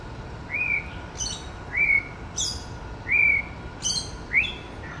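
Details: White-rumped shama male in mimicry display, giving clear upslurred whistles paired with sharp high clicks and chirps, the pattern repeated four times over five seconds against a faint steady hum.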